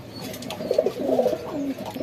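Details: Pigeons kept at home, being put together as pairs, cooing: low, rolling coos repeated through the clip, with soft wavering notes rising and falling and a few brief higher tones above.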